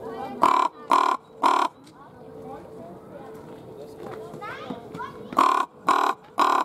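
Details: Common raven at Schönbrunn Zoo, winter 2020: three loud, raspy caws roughly half a second apart, a pause filled with faint softer sounds and a steady hum, then three more caws of the same kind.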